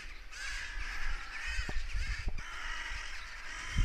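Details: Cawing crows reacting to a goshawk that had apparently hunted; a dense run of harsh calls with brief lulls and a couple of sharp knocks, over low wind noise.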